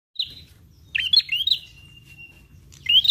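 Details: Prinia lure sound that wild prinias answer: a few sharp, rising chirps and a short whistled note, then a long thin steady tone fading out, ending with another bright rising chirp after a pause.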